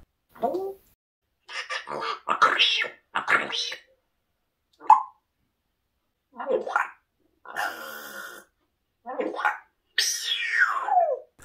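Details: Pet African grey parrot indoors chatters in short speech-like phrases, broken by harsh rasping squawks and a long sweeping cry, with its owner talking to it in Russian between.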